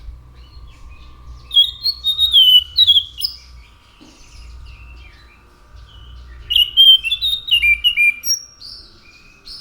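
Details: Orange-headed thrush song in two bursts of quick, varied whistles and twittering notes, about four seconds apart, with a faint steady hum behind.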